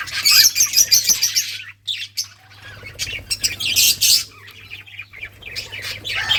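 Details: Budgerigars at play on June 17, 2023, giving rapid bright chirps and twittering in uneven bursts, a brief near-silent gap after the first second and a half, then more scattered chirps over a faint low hum.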